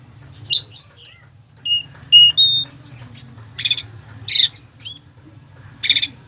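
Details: Oriental magpie-robin (kacer) delivering isian-filled song to provoke a slow kacer: sparse phrases of scratchy bursts, brief whistled notes and a short stack of high steady tones, with quiet gaps and a faint hum.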